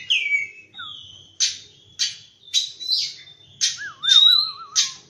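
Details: In the morning an oriental magpie-robin delivers clear whistled notes and rich chirps about every half second, mixing a sliding opening whistle with a lower, wavering trilled whistle near the end.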